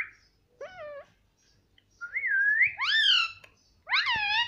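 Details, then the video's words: Talking pet parrot voicing a run of harmonic, voice-like calls: a short nasal note, a long wavering whistle that climbs, then two loud bent calls, each rising and falling, over a near-silent room. "Talking parrot _ Parrot Talking Mummy Mummy"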